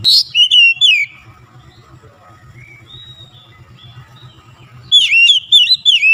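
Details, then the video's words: Oriental magpie-robin song used as a quick lure to set other birds singing: bursts of loud, sharp whistled notes that swoop up and down open and close the stretch, separated by a quiet gap with a low steady hum. "TEMBAK SUARA KACER LANGSUNG GACOR"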